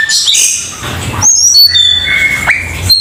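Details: Cucak keling song: a quick run of high squeaky notes, then long level whistles and a sharp upward slur in a short, bright phrase.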